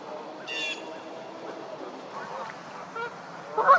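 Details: Canada geese in a fight: one high, harsh squeal, scattered soft honks, then a loud honk burst at the end.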